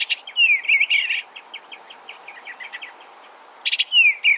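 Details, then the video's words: Eastern Bluebird singing: a soft warbled phrase with descending slurred notes, then a run of quick, faint chips, then another short burbling phrase ending in a falling slur. "Eastern Bluebird Bird Sound, Bird Song, Bird Call, Bird Calling Chirps"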